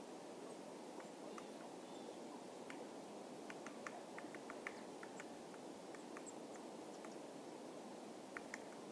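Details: Great spotted woodpecker chiselling dead trees for food, Tatyshev Island, Krasnoyarsk, Yenisei River; sparse sharp pecks, clustering into quicker runs midway, against a constant broadband hiss.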